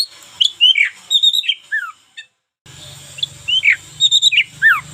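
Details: Local-type Oriental magpie-robin singing actively, a varied tutoring song for daily training: sharp whistled notes and slurred downward sweeps, with a brief silent break mid-way and a low hum beneath the second half.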